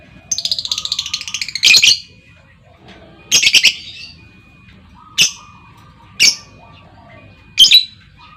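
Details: Lovebirds: a fast buzzy chattering trill lasting over a second opens, then a stuttering burst and evenly spaced shrill squawks about a second apart, answering a calling female.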